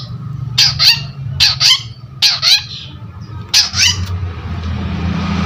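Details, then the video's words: Long-tailed shrike giving paired grating squawks, each doublet repeated roughly every second, four in all, then a hissy pause with low background rumble. "CENDET GACOR || PANCINGAN BUNYI"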